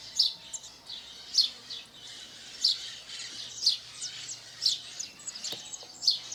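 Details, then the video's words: House sparrow chirping in a natural setting in Brazil, six clear high chirps about one second apart over a hissy background, with a brief click near the end. "0 canto do Pardal na natureza"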